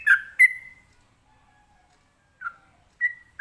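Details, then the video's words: Sooty-headed bulbul (trucukan) in ropelan song meant to trigger replies from other birds: a couple of bright whistles, one drawn-out tone, a long quiet gap with a faint lower whistle, then renewed short notes. "ini suara Trucukan ropelan bikin nyaut burung lainya"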